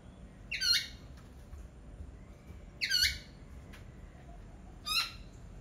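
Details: Three short, harsh squawks from a laughingthrush, spaced about two seconds apart, with a few faint clicks in between.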